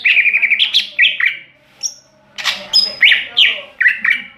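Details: Greater green leafbird (cucak ijo) singing in the ngeplong style: quick runs of chirpy, slurred notes and rising whistles, with a brief high thin whistle partway through, phrases pouring out several times a second after a short pause.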